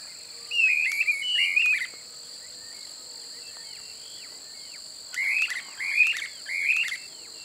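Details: Streamer-tailed tyrant at Pousada Aguapé, Aquidauana, Mato Grosso do Sul, Brazil, in open marshy habitat, gives two bursts of harsh, chattering notes, three phrases each, over a steady high buzz of insects.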